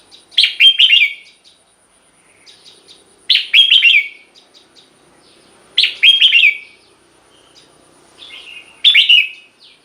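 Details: Red-whiskered bulbul song, played to excite caged birds: short bright phrases of quick warbled, slurred notes, repeated about every three seconds with quiet gaps, faint chirps between phrases.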